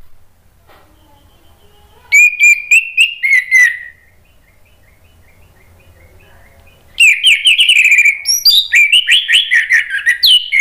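An orange-headed thrush sings two bursts of rich, fast, varied phrases, mixing sweet whistles with sharp chattering notes, separated by a few seconds of near silence.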